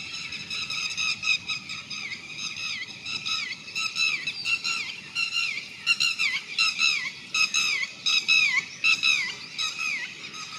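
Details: Red-wattled lapwing (Vanellus indicus) in flight, alarm call: loud, shrill, piercing notes in quick repeated bursts, slurring downward, about one or two phrases a second, with faint background hiss; finding: Red-wattled lapwing.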